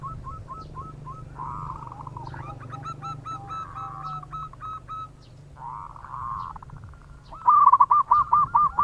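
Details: Zebra dove of local stock giving bekur cooing to lure other birds; soft trilled phrases at first, then a loud burst of quick staccato coos near the end, with a constant low background hum.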